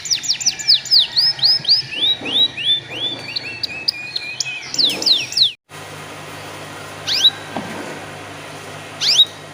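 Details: Canary song meant to coax young canaries into singing: fast series of repeated downward-sweeping whistled notes for five seconds, a sudden break, then only two isolated sharp chips over faint background hiss.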